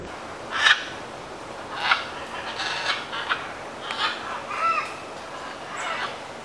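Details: Scarlet macaws near Carate on the Osa Peninsula, Costa Rica, among macaws grooming each other, feeding on palm nuts and fighting over feeding spots, give about five harsh, raspy squawks at uneven intervals of roughly one second, over a soft background hiss.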